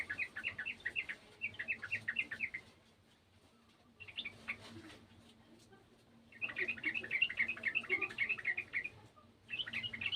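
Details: A garden yellow-vented bulbul gives lively phrases of quick, jumbled chirps in repeated runs, with gaps of about a second between bursts and a soft background hum.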